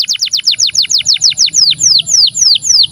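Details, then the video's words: Canary singing a 'cengkok syahdu' style song: a fast run of bright descending whistled notes, about five per second at first, slowing into longer downward-sweeping notes, with a steady high tone in the background. "Kenari cengkok syahdu"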